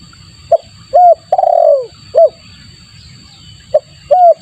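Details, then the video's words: Spotted dove call for luring birds: a short note, a clear coo and a long, trilled, descending coo, then the phrase starts again. Constant low background rumble and a thin high-pitched whine. "suara pikat tekukur bagus untuk pancingan"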